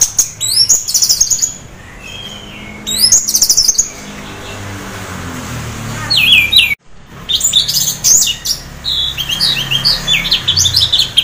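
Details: Half-breeding-condition orange-headed thrush sings to draw others into singing: rapid high chattering phrases and twisting whistled notes in several bursts, one clipped by a sudden break, over a low background rumble.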